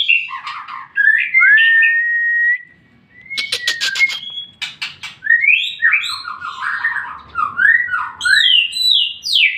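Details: White-rumped shama song played as a lure for other shamas to answer; whistled and warbled phrases, a long pure note, a short pause, a few harsh rasping bursts, then rapid varied whistles.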